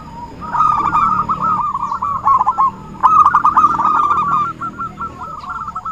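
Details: Zebra dove call used to lure birds for trapping: two long bursts of rapid, rolling coo notes separated by a brief lull near 3 seconds, fading into softer, broken trills at the end.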